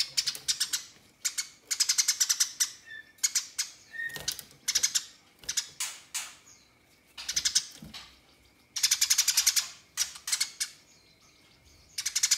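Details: House sparrow fighting and calling rivals, giving long harsh chattering runs: bursts of rapid buzzy chirps, each lasting about a second, separated by short pauses, with brief tonal notes in between.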